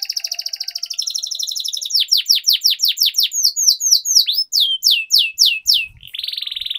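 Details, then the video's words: Canary master song for coaxing silent canaries to sing: a fast trilled roll opens, followed by a run of crisp falling whistles and a closing buzzy rattle. "Canary Singing Training, Kenari Gacor Ngerol Panjang,Pancingan Kenari Macet, Masteran Kenari Paud"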